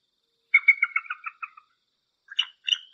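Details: Bald eagle uttering a quick series of high piping notes that slowly fade and drop in pitch, then two short sharp squeaks after a pause.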